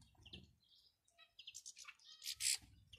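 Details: Male and female European goldfinch calls meant to prompt a male into song: quick high twitters and sliding chirps build to a dense, bright burst of chattering notes, over faint low background noise.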